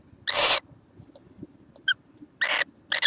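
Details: A young kookaburra recorded 6 November 2014 gives three harsh, hissing rasps, each under half a second long and spaced about a second apart, with faint clicks and ticks between them.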